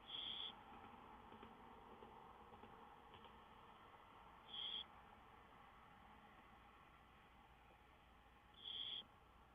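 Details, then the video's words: High, clear whistled notes from a wild songbird, recorded 5-9-2013: three short, flat-pitched notes spaced roughly four seconds apart against constant low hiss. "Songbirds wild antics"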